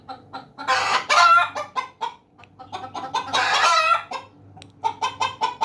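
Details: Domestic hens and roosters: two loud, harsh squawking outbursts near one and three and a half seconds, with scattered short clucks between them. A run of five quick, evenly spaced clucks follows at the end, over a faint low hum.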